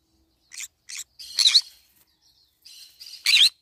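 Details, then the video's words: While feeding on banana leaves, a green-cheeked conure gives two short chirps and then louder, rasping squawks, with a brief pause before a final harsh burst. "green cheek conure cute bird sound"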